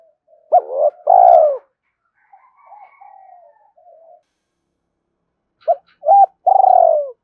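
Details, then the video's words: Spotted dove calling to rouse other doves, giving two cooing phrases of brief rising-falling hoots and a long quavering coo that slides down, separated by quiet low murmurs. "tiếng cu gáy kích bổi mỗi ngày"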